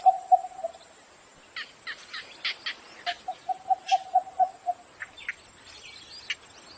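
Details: Cinnamon bittern in the morning, giving a short string of low knocks, then a longer rapid run of about nine notes amid sharp chipping calls of other birds; faint constant high tone in the background.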